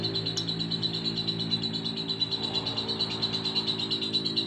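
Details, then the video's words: Lovebird giving a high, buzzy run of pulsed chatter notes over a steady low mechanical hum, with one sharp click near the start. "Burung Lovebird Mangasi"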